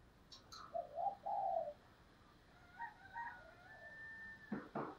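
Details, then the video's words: Spotted dove cooing as a lure bird to call in wild doves: a short, soft pair of low, hollow coos, then quieter faint notes, a thin steady whistle from another source and a couple of dull knocks. "tieng cu gay kich boi nhanh noi"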